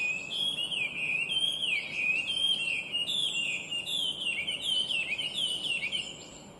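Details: Bright, complex song of a Chinese hwamei, a listed invasive species: loud, fluid whistled phrases rolling up and down without pause, rich and varied, over a quiet background.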